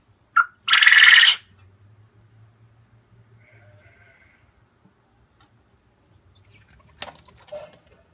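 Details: A male pet Japanese quail near his nest gives a short note, then a loud, harsh, rasping burst about half a second long; after a quiet stretch, a few clicks and knocks follow.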